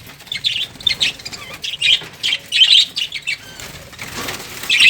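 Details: Rapid high, squeaky lovebird chirps arrive in short separate bursts, then a rising wash of continuous chatter toward the end.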